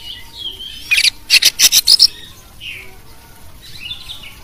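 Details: Champion Oriental magpie-robin with a rich, varied song, used to coach and provoke competition birds. A fast string of about six harsh, rasping notes is followed by soft whistled fragments.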